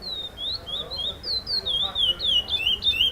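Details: First-placed curió, chestnut-bellied seed finch, at the 5th FEBRAPS song contest stage, repetition style: fluid whistled phrases of rising and dipping notes, tempo quickening into closely packed slurred syllables.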